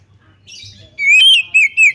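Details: Calls of a female Oriental magpie-robin, used to lure other magpie-robins into singing; soft blurred chatter, then a long loud slurred note and two shorter dipping notes.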